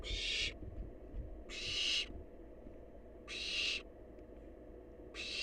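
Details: Barn owl nestling, wild, eating leftover food: four breathy, scratchy hisses of about half a second, repeated every 1.5 to 2 seconds, with soft low rustling and bumps in the nest.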